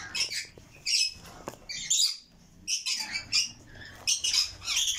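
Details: Red lory chicks calling: hoarse, hissing squawks in clustered bursts about every second, high-pitched and grating.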